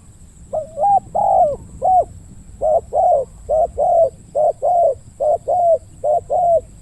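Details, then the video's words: A decoy spotted dove used for trapping wild doves near eucalyptus trees coos in the deep 'ku-ang' style. Steady mellow two-part coos repeat in quick succession, roughly a dozen notes over several seconds, against a quiet background. "ต่อนกเขาใหญ่ เจ้าทีเด็ดสายล่า จัดเสียงใหญ่ คูอ่างให้อีกแล้ว"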